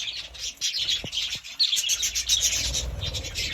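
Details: Budgie parrot uttering quick, irregular high chirps and squeaky twitters, a few soft knocks early on, the chatter growing denser toward the end.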